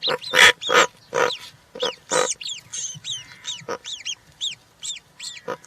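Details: European rollers at a nest with three newly hatched chicks on 20 June 2023, one fed a giant grasshopper: a run of harsh, rasping croaks, then thin, bent, squeaky notes repeated about every half second.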